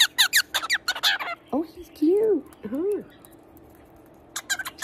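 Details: A male pet cockatiel sings to squirrels and birds outside, with sharp chirps and low, arching warbled notes, while a person talks to him.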